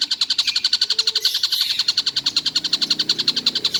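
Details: Kingfisher, known locally as tengkek buto, said to call all day without stopping; a fast, steady run of harsh, clipped notes, roughly eight each second, held at one high pitch throughout.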